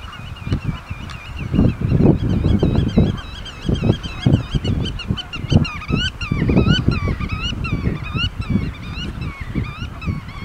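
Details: A meadow full of geese on Ameland, with many birds honking at once: a dense, overlapping chorus of nasal, wavering honks repeated without pause, set against strong low wind rumble.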